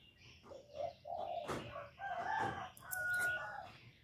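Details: Male spotted dove cooing to stimulate a female to lay: low, soft hooting coos in short phrases of two or three notes, with sharp clicks and brief higher chirps around them.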